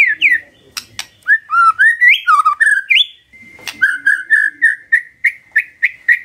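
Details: Magpie-robin singing in the morning, used as a lure to get quiet birds to answer: varied whistled notes sliding up and down, then a steady run of short, bright chirps repeated about three times a second.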